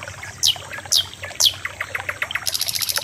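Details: Loud common nightingale phrase: three quick falling whistled sweeps roughly half a second apart, a run of short staccato notes, then a fast, rattling pulsed trill at the end, against low hiss.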